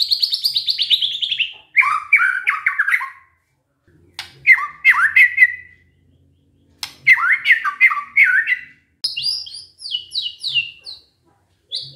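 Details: White-rumped shama singing canary-style phrases: bursts of rapid, buzzy chattering notes sliding up and down, separated by short silent gaps, ending in high clipped whistled notes.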